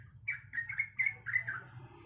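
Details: Sooty-headed bulbul female calling to a male, a brief burst of five or six quick, slurred warbling notes, fairly soft, over a low background hum.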